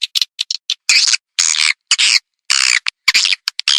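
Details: Speaker-played edible-nest swiftlet call meant to attract the birds: short clipped chirps mixed with longer rasping buzzy notes, spaced by silent pauses.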